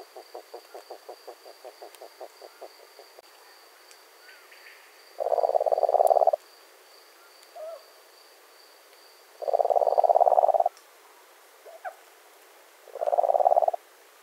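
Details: European nightjar in breeding season at a nest with eggs and chicks at night: a rapid run of soft clicking pulses, then three loud short bursts of churring with faint scattered notes between.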